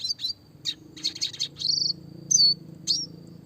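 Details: Clear red siskin song of the classic roll tembak type, meant as a tutor for small songbirds: clustered high chips, a short rattling roll, then two bright downslurred whistles and a final chip.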